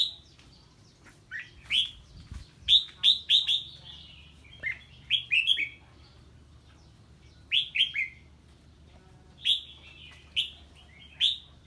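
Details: Red-whiskered bulbul singing on hearing a strange bird: short bursts of loud, rich whistled notes, each a quick descending-rising phrase of three or four syllables, repeated with pauses of one to two seconds, faint low background rumble.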